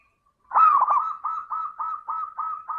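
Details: Cooing of a local zebra dove, played to stimulate reluctant doves into song: a strong stuttering opening phrase runs into a steady series of seven evenly spaced, arched coos about a quarter second apart.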